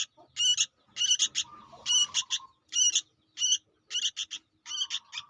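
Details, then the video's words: Young sooty-headed bulbul, recorded for luring: grating, buzzy calls in rapid clusters, broken by a thin, level, lower whistle midway and again at the end. "suara anak burung kutilang gacor untuk pikat"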